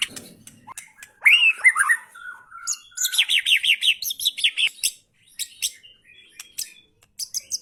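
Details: White-rumped shama in full song: rich slurred whistles open the phrase, followed by a rapid series of repeated bright notes and scattered high, sharp chips and clicks, loud and clear.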